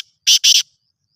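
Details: Black francolin, the Sindhi kala teetar type, kept for sale: two loud, harsh, grating notes in quick succession, raspy and broadband, with a short gap between them and nothing else audible.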